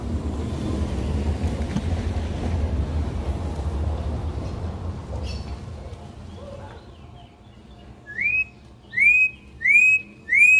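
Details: Campo troupial (corrupião) wild song: after about eight seconds of steady low rumbling background noise, four loud, clear rising whistled notes follow each other in quick succession near the end.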